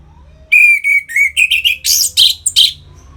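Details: Orange-headed thrush, a song played to stimulate captive birds: clear whistled notes slurring up and down, building into harsher, buzzier high bursts toward the end of the phrase.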